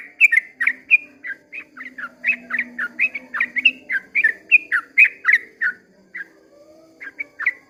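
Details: At dawn, a sooty-headed bulbul pours out a long 'ropel' song of quick, liquid whistled phrases, roughly three to four each second, breaking briefly near the end before resuming; soft low hum underneath.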